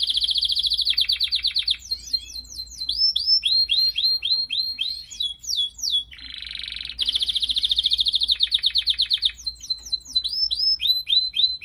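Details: Canary song for training other birds: rapid buzzy trills alternating with series of clear downward-swept whistled notes, repeated phrases, with a faint low hum beneath.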